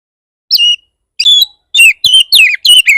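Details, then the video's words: Oriental magpie-robin singing to provoke other magpie-robins into song, a series of loud, clear whistled phrases, each slurring downward, coming in quick succession after a brief opening note. "Pancingan burung kacer bar bar naik pitam kacer lain"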